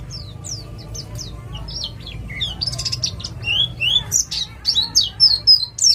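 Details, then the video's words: East Java ngalas white-eye in nembak-style song, a lure for other birds to sing: faint high notes at first, building into louder varied chirps, slurs and a few lower whistles. "Pleci jatim ngalas cocok untuk pancingan bunyi"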